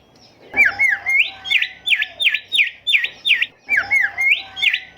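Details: Golden whistler (bimoli, kancilan emas) in full song, recorded as a training tape for caged songbirds. Loud, ringing V-shaped whistles repeat quickly in a steady series of about a dozen notes, with brief pauses between runs.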